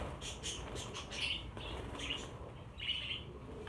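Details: Budgerigars, some fifty caged birds being transferred to a larger flight cage, utter soft high chirps and brief whistled notes at irregular intervals against a faint hum.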